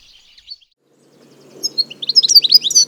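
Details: A European goldfinch recorded in the wild sings a quick, tinkling run of high twittering notes and liquid trills, building in the second half after a few faint chirps.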